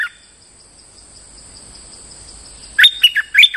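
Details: Lure-sound streak-eared bulbul in moult: after near-silence with a high steady hum, a quick loud burst of bubbly whistled notes rising and falling.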